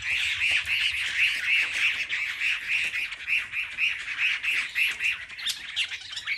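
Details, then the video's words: Chinese hwamei in a singing contest of market birds: a steady series of harsh, scratchy notes repeated about three and a half times a second, with noisy high hiss behind. "Họa mi hót đấu"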